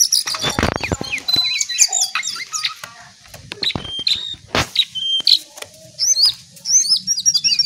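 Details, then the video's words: Lesser shortwing (jongkangan/cingcoang coklat) pours out a fast, high, twittering song of varied whistles and trills with scarcely a pause, broken by a few sharp knocks and clicks. "Ocehan pedas burung jongkangan/cingcoang coklat"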